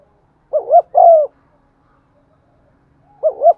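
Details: Lure spotted dove cooing to stimulate rival doves, 'giọng son' voice: one full phrase of two short soft coos and a drawn-out falling note, then the opening double coo of the next phrase after a pause.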